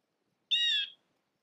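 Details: Blue jay in a backyard, feeding from a peanut wreath; a single half-second harsh, nasal call with stacked harmonic bands, steady in pitch, against a quiet background.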